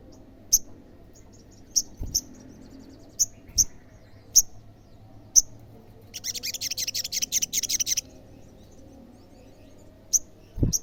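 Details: Olive-backed sunbird call meant to set off answers from other sunbirds: high sharp chips about every second, broken by a two-second burst of rapid buzzy trilling, then more chips.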